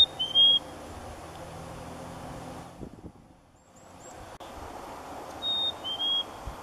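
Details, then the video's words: Black-capped chickadee giving clear two-note whistles, a higher note sliding to a slightly lower one, heard once at the start and again about five seconds later over steady background hiss and a low hum. "Black-capped Chickadee Calls"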